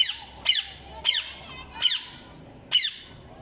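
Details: Mitthu popat, the ring-necked parrot: five sharp, piercing screeches spaced roughly half a second to a second apart, each a brief harsh downward-slurred note, with quiet gaps between.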